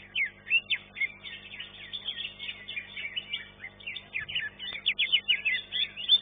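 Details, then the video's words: Caged green leafbird in a singing contest where it took third place: nonstop fast chattering song with varied twittering and squeaky notes, steady electrical hum beneath. "C IJO RAMPOK"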